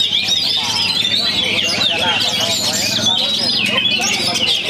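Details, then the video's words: Young Oriental magpie-robin from Perbaungan, singing after its moult: a dense, unbroken stream of high, varied whistles, chirps and quick trills, with overlapping layers of song and a faint low murmur beneath. "KACER ANAK PERBAUNGAN PASCA MABUNG TURUN GUNUNG"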